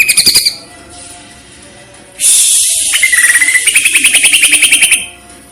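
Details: Greater green leafbird (cucak ijo) masteran training recording: a short high trill, a pause, then a hissing high phrase leading into a fast rising series of repeated sharp chirps lasting about three seconds.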